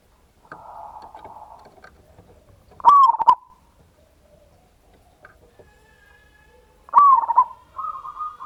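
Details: Zebra dove, local type, singing a loud lure song in ngayer kerot nutut style to trigger other doves: a soft whistled phrase, then two sharp, clicking warbled coos four seconds apart, with a level trill.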